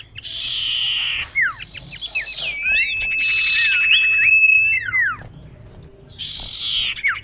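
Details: Female common iora summoning a male, used to lure birds in: alternating blocks of harsh buzzing with quick falling whistled slurs and a long level whistle, repeated over several seconds.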